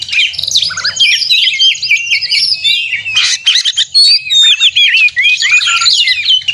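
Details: White-rumped shama in fighting song to provoke other shamas: fast, varied warbling with many short upslurred whistles and chattered notes, steady and energetic throughout.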